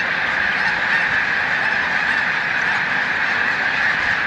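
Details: Snow geese (Chen caerulescens) on migration near its peak at Montezuma, New York, 7 March 2022: a huge flock's steady, unbroken clamor of countless overlapping high honks, merging into a dense, even roar with no pauses.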